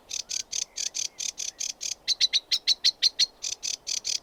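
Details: Sedge warbler singing a fast, steady train of dry, rasping chirps, some notes sharper and louder midway, delivered without pause through the whole stretch; quiet background.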